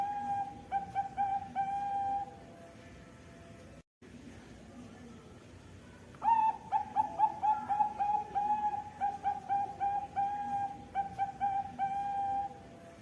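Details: Zebra dove (perkutut bangkok) from Jepara, Central Java, singing sweetly: a short coo phrase ending in a held note, a pause, then a longer series of rhythmic, round cooing notes and a final drawn-out coo.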